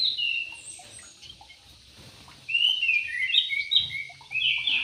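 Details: Yellow-vented bulbul in an aviary: a quiet start, then from about 2.5 seconds a loud run of bubbly, slurred whistled notes, some rising and some falling, with a steady faint hiss behind.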